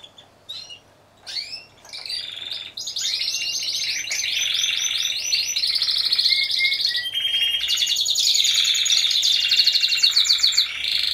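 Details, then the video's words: Team of four Timbrado Español canaries judged at a singing competition in late November 2015: opens with sparse chirps and upslurred notes, then builds into continuous high rolling trills and buzzy metallic runs. "2ος Διαγωνισμός - Έκθεση Καναρινιών Φωνής Timbrado Español"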